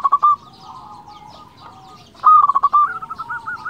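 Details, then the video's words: Local zebra dove singing actively, used to provoke rival doves: a loud stuttering burst of clipped coos near the start, softer tonal cooing from other doves in between, then a second loud stuttered phrase ending in a wavering trill. "Perkutut lokal gacor suara bikin lawan emosi belum satu menit di jamin langsung gacor"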